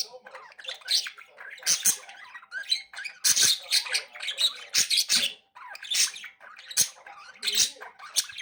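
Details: Three budgerigars in a room chattering continuously, a busy mix of high scratchy chirps, squeaks and warbles in rapid overlapping bursts, with a brief pause midway.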